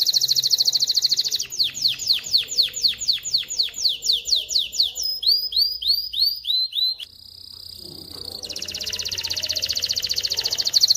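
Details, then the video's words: Canary song for teaching chicks and preparing females to breed: fast high trill, then a series of downward-sweeping slurred notes about two per second, a brief pause, and a return to rapid trilling. "تغريد طائر كناري خرافي لتعليم الفراخ على الغناء والاناث على التزاوج، Canary singing"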